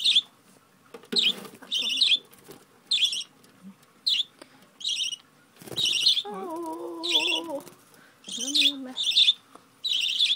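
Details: Pet budgerigar during hand-feeding, too impatient to wait for its food: high, shrill begging chirps in short bursts about once a second, with two lower, wavering drawn-out tones in between and faint rustling.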